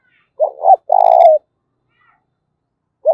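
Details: Spotted dove cooing in the 'giọng thổ' style to stir up fighting: two swelling short notes and then a sustained, gently falling coo, with the next phrase starting at the end.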